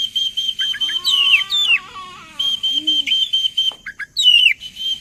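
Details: Oriental magpie-robin singing as a lure to set other birds singing: continuous rich whistles, swooping slurs and a soft low warble, with a steady high tone running under rapid chattering notes.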